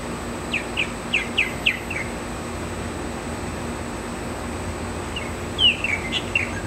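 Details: Male purple martin singing outside his nest on a June 2009 morning: two loose bursts of short chirps sliding down from high to mid pitch, about six notes then a pause, with steady background hum.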